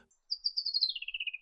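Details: A superb lyrebird in a southeastern Australian tree-fern forest in the morning mimics a thornbill's alarm call: a rapid, high, buzzy trill of about twenty notes in a second, stepping gradually downward.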